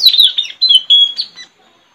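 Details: Caged decoy Straw-headed bulbul trained to call in wild birds, recorded 4 April 2021 in front of a village house: a run of high, thin descending chirps and short whistled notes lasting about a second and a half, then silence.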